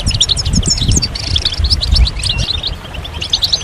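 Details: Several European goldfinches chirp and twitter together in a stimulating song for moulting males; lively high notes and short trills scatter across the clip above a fairly strong low rumble.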